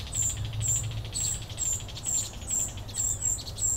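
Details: Immature common cuckoo, a brood parasite, being fed by its vinous-throated parrotbill foster parent; thin, very high repeated notes, roughly two per second, in short uneven bursts over a low rumble.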